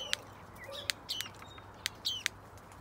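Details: Black-breasted thrush defending its nest in an outdoor aviary, giving sharp clicking chips mixed with short, rising whistled notes at irregular intervals.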